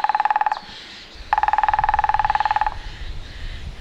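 Grey-headed woodpecker drumming: a short roll, then a longer, even burst of very fast, ringing knocks on resonant wood, with a faint low background rumble.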